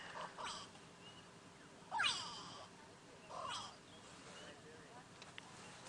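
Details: Grey go-away-birds (Corythaixoides concolor) on a sunrise safari drive, 27 October 2016, giving harsh, nasal, drawn-out alarm shouts, three bursts over six seconds, warning of a male leopard hidden in a drainage line nearby; faint human voice.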